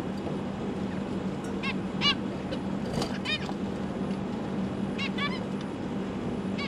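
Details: Newly hatched zebra finch chicks that have just left the nest give short, nasal, stacked calls in loose bursts every second or so, over a steady low hum; parents busy feeding them.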